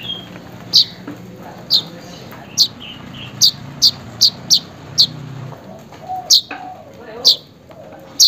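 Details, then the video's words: Weaver call to a rival or companion, played to prompt a quiet weaver to sing: roughly a dozen piercing short chips, some bunched in a rapid run midway, with faint softer notes and a low hum beneath. "burung manyar memanggil lawan/kawan"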